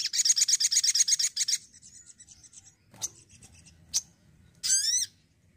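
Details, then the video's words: Energetic sogon (crimson sunbird), Indonesia: a quick pulsing sequence of piercing high notes, fading twitters and lone chips, closing with a cascade of downslurred whistles. "SOGON ISTIMEWA YANG ENERGIK"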